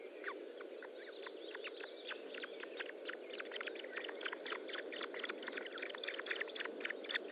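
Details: Osprey calling at the nest while feeding, 25 June 2012 at 10:58: a long run of short, high chirps, about three to four a second, starting softly and building louder toward the end, over constant hiss.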